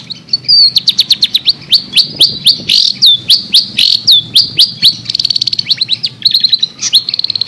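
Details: Long-tailed shrike, described as a fighter master bird for training, chirping: a fast run of sharp, high chirps and short whistled slurs. Most are repeated about twice a second, and a rapid trill comes near the end.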